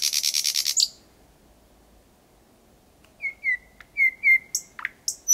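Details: Thrush nightingale heard at night in Kiili parish on 8 May 2020, 4–5 metres away: a dry fast rattle, a second of silence, then a string of short pure whistles and sharp high notes.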